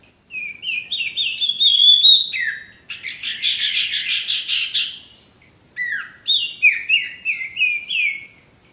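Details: Male sirtu singing loudly and clearly: sweet whistled notes climbing in quick steps, a long scratchy warbling stretch, then another series of bright slurred whistles stepping downward. No other sounds stand out.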